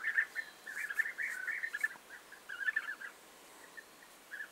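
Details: European bee-eaters recorded on 29 May 2021, with a chattering run of short rolled calls in the first half. This is followed by a quieter stretch and a few scattered single notes.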